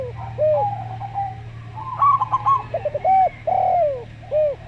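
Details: Zebra dove of local stock with slow voice gives a stuttered trilled phrase, amid calm, rounded, downslurred coos of a Javan derkuku; continuous low hum.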